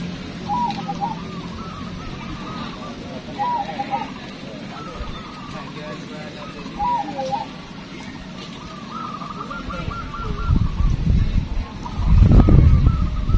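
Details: Local zebra dove at a bird-contest training session in Magelang, cooing loud, long, clear soft rippling mid-pitched phrases every few seconds over crowd chatter, with a loud thump near the end.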